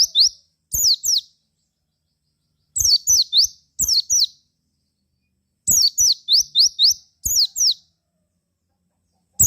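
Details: Javan white-eye lure song meant to make other white-eyes reply: repeated clusters of rapid, high, piercing chirps, about four notes a second, mixing descending slurs and rising whistles, with brief silences between clusters.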